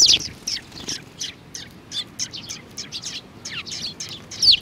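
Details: Sparrows with a little one, 27 June 2019: steady series of short, high, slightly downslurred chirps, roughly three or four per second, with louder notes at the start and end.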